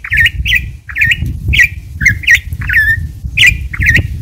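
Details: Campo troupial song of rapid, loud whistled notes with curling, hooked shapes, repeated in quick series of roughly eight phrases, one note drawn out into a falling whistle, with constant low rumble underneath.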